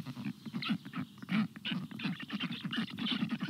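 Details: Black stork chicks at a nest begging for water on a very hot day, 25 June 2022: rapid raspy pulsed calls repeated over one another, with hissy wheezing bursts overlaid.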